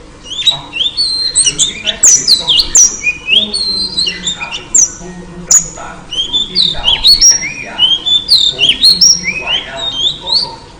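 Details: Calling by a female oriental magpie-robin to entice a male: loud mixed whistles and scratchy squawks in short, varied phrases, some notes gliding upward, with a few brief breaks.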